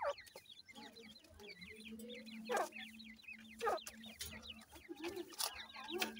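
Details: Teetar chicks in a group keep up rapid, overlapping downward-sliding peeps, joined by a steady low drone and repeated sharp tapping or knocking sounds.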